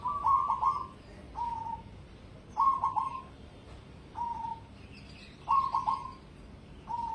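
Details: ['Competition-grade cemani zebra dove singing: six soft cooing phrases, alternating longer stuttering, bubbly coos with short single hollow notes, spaced about every one and a half seconds, over a quiet background.']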